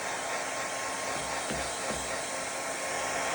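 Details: A blow dryer runs loudly indoors, its steady rushing roar covering the whole recording.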